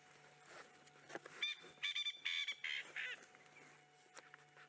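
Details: A male Coqui Francolin standing on a termite mound right beside the recorder gives a loud, ringing series of repeated, slightly rising notes, possibly a territorial call and a call to attract a mate.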